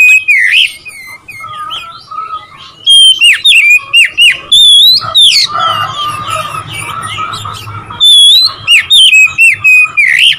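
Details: Oriental magpie-robin song meant to provoke rivals, with rich whistled phrases, slurred notes and harsh chattering bursts, loud sections alternating with quieter passages.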